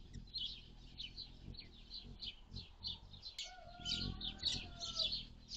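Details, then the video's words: Rapid, high-pitched chipping from a hummingbird on June 7, 2022, a mild day ranging from 51F to 76F. The chips come in quick succession, and partway through a second bird adds long, steady whistled tones lower down. "Hummingbirds - June 7, 2022"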